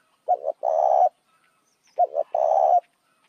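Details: Spotted dove calling to lure other doves: twice-given phrase of two quick low notes running into a sustained, slightly wavering coo, with silence between phrases.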